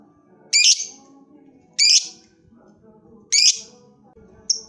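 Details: A lovebird calling toward a rival produces three loud, rasping high squawks about a second and a half apart, followed by a brief clipped note.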